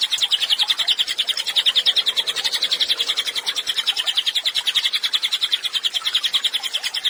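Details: Vigorously singing cililin, recorded as tutoring material for songbirds, delivers an unbroken stream of quick, high, rattling chirps, roughly three to four each second, evenly sustained across the whole stretch.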